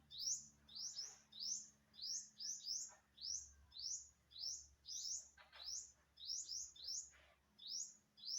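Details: Unknown bird on September 27, 2022, giving quick rising tweets, frequently doubled, about once every 0.6 seconds, with a few soft thuds and rustles in between.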